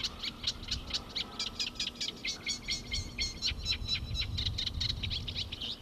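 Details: Eurasian reed warbler singing in the reed bed of Lake Pergusa nature reserve, Enna: a steady, chattering run of scratchy, repeated notes, about two per second, over a faint low hum. It sings all day to court and to defend its territory.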